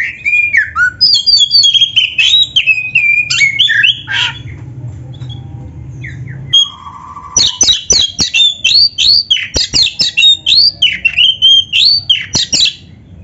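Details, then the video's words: Kacer, oriental magpie-robin, in full-materi gacor song for tutoring birds: two long bursts of loud sweeping whistles with sharp clicks, roughly four notes per second, separated by a short lull with a low steady whistle. "SUARA BURUNG KACER GACOR FULL MATERI ‼️MASTERAN KACER GACOR"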